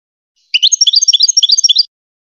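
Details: Short goldfinch song phrase for training hybrid chicks: just over a second of quick alternating high and lower chirps, about a dozen tinkling notes in a bouncy, regular rhythm, with silence around it.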